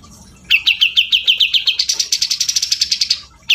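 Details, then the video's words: Chattering grey-cheeked bulbul: a quick series of sharp chirps that shifts midway into a higher, denser, buzzier trill before stopping abruptly. "Cucak jenggot gacor"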